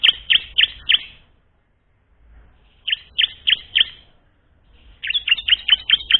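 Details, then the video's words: Bar-winged prinia singing as a practice model for other prinias: quick series of bright, high chipping notes in three groups, with a silent gap in the middle and the final burst fastest. "ciblek belajar bunyi, cocok untuk memancing ciblek bahan agar cepat bunyi"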